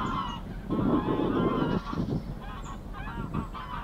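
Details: Greylag Goose mother with goslings swimming at Getterön, 20 April 2022: a quick run of rasping, harmonic honks, about four per second, then softer honks fading, over a rumbling wind-and-water background.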